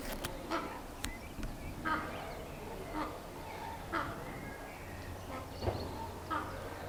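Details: On Tenerife in April 2025, a raven gives harsh, hoarse croaks about once a second, some doubled, over a low steady hum and faint background noise.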